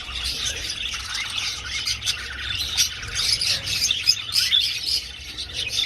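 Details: Budgerigars flying through an old breeding aviary. A steady mass of high, scratchy warbles and short chirps overlaps from many birds, peaking in loudness near the fourth second.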